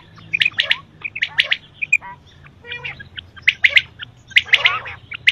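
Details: Quail, male and female as described, calling for morning and night: sharp, high chirping bursts in short clusters roughly once a second, with quiet gaps between and a low steady hum underneath.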